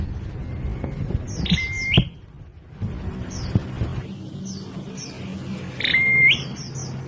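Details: Prinia making an odd, strange call: clusters of high descending chirps alternating with a buzzy note that settles into a level whistle, heard twice, with low background hum and occasional knocks.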